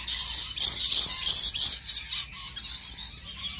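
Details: Lorikeet parrot described as in love, giving harsh, shrill, high-pitched screechy bursts in quick succession, loudest in the first two seconds and then fading into softer chattering notes.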